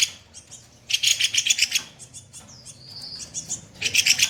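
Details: Kopi-kopi songbird song meant for training other songbirds, rough 'tembakan kasar' shots: a fast burst of harsh, high chattering notes, a brief whistled slur, then another dense harsh burst at the end.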